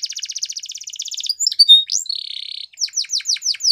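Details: Canary singing a rapid pulsed trill, a few thin piping whistles, a sustained buzzy tone, then a short series of sharp descending chips.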